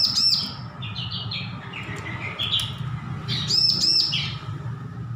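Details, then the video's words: Young bar-winged prinia learning its song after hand-feeding ends: high arched whistles, then a stepped series of lower chirps descending and rising again, followed by another burst of arched whistles, over steady low hum. "Ciblek lepas loloh belajar bunyi full masteran"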